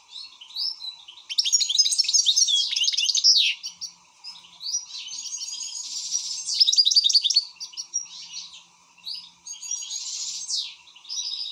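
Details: Agitated goldfinch delivering bursts of bright twittering song, with dense rattling trills and sweeping downward whistles, separated by short quieter spells; steady background hum.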